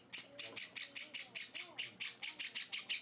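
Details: Java sparrow chicks, kept at home for four days and hand-fed, give a rapid series of harsh, buzzy high chirps, about four per second, steady and evenly spaced. A faint low voice sits underneath.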